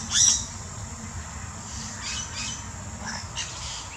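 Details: A yellow-rumped cacique in the Brazilian Amazon opens with a loud, harsh, high squawk, then gives scattered fainter clicks and whistled notes over a steady low rumble.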